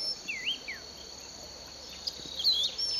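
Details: Bird song in a Bulechia sugarcane field, Western Kenya, December 2011. A curling whistled phrase opens, then a sharper high whistled flourish near the end, above a persistent thin insect whine.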